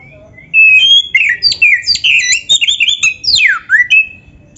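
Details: Oriental magpie-robin, kacer masteran of rich 'luxury' material for training songbirds: a dense, loud run of fast whistled and buzzy phrases, with several steep downward slurs near the end.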